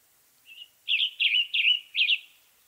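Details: Western tanager song from western North America: a faint opening note, then four rough, slurred phrases delivered rapidly one after another, each a buzzy up-and-down motif; no other sounds.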